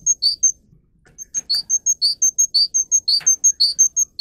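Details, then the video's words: Canary used as a song tutor for young birds: crisp high chirps repeated about four times a second, alternating two pitches in a bouncy pattern, with a brief pause near the start. "Canary how to sing listen and teach young Canary for Canary Education"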